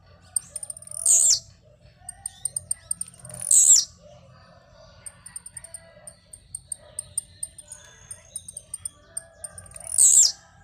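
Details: Singing while jumping, a blue-black grassquit repeats a brief, high buzzy downslur four times at irregular intervals of two to three seconds. Dense faint high ticking runs between the notes.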